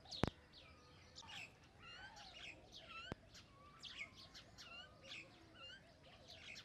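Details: A common myna utters a busy run of chirps, clipped whistles and squeaky, down-slurred notes in quick irregular succession, with two sharp clicks breaking in.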